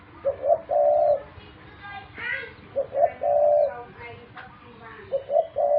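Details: Pet dove repeating soft low coos, short stuttered notes leading into a held tone, three phrases, with a brief higher tonal sound between the first two.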